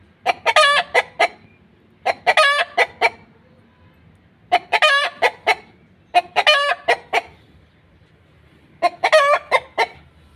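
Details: Steady egg-laying cackle from a hen: five clusters of staccato clucks with a stretched squawk, spaced about two seconds apart over near silence.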